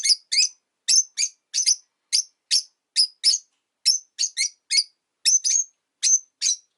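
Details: Rosy-faced lovebirds kept indoors as pets, five in a window cage, chirping regardless of winter; clean, evenly spaced sharp high chirps, often in pairs, steady throughout with no background noise.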